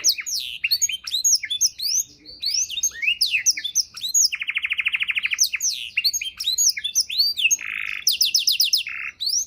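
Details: Canary in full varied song, used to tutor songbirds: busy chains of sweeping whistled notes broken by a fast rolling trill and short buzzy rattles, nearly nonstop throughout.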